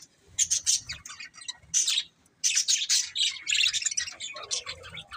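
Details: Budgies chirp in lively clusters of sharp high squeaks and raspy twitters, with one short silent break near the middle.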